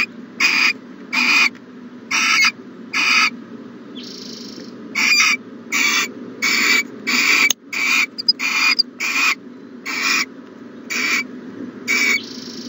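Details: Owl calling at its nest box on a morning, 1-14-20: a long series of raspy, hissing bursts about one per second, with a brief softer hiss between them and a faint low hum throughout.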